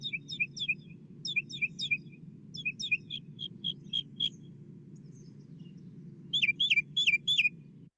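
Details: Northern Mockingbird sings high, varied phrases, each repeated two or three times in quick bursts, ending with loud slurred whistles; phrases include imitations of Northern Cardinal and Tufted Titmouse songs, recorded on a university campus in Elon, North Carolina, USA; steady low rumble beneath.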